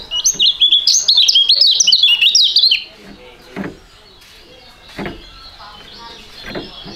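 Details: Two young competition songbirds with a fighting-type song sing a duet: a dense, fast warbled song of high chirps and trills for about three seconds, then a fainter, thinner song with a few soft knocks and clicks.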